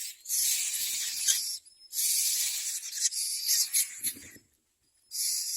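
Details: Nestling common mynas being fed by their mother, giving loud raspy hissing begging bursts, a quieter stretch with faint thin whistles, then a short gap before another harsh burst.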